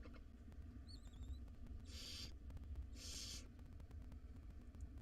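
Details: Five hungry wild barn owl nestlings in a monitored nest box at dinner time give two harsh, breathy hissing bursts about a second apart, with faint thin whistled notes just before and a low background hum.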